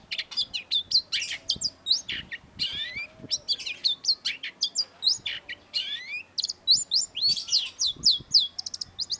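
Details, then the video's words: Long-tailed shrike (cendet), loud master song for training cage birds: a fast, continuous stream of sharp high whistles, chips and slurred notes, varied and chattering throughout. "cendet gacor MASTERAN CENDET SUARA TAJAM || Long-tailed Shrike"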